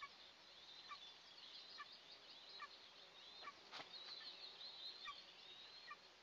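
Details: Two Eastern imperial eagle eaglets in their nest during the first breakfast of the day, June 29, 2024, recorded by a nest camera. High, thin squealing notes sweep down in pitch over steady background hiss, with one sharp click.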